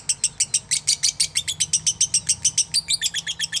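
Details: Rapid high-pitched chirping from a lovebird, short sharp notes repeated about six times a second in a steady unbroken run, some notes slurring upward near the end.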